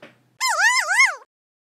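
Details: A kea (Nestor notabilis) gives a loud, rippling warble, three quick up-and-down swoops in under a second. This is the play call, made during play, which sets other kea playing and calling too, much like laughter.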